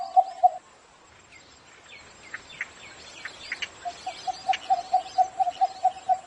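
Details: Morning call of a cinnamon bittern: a couple of low notes, then a quiet pause with faint high chirps, then a steady series of about a dozen low, knocking clucks, several per second.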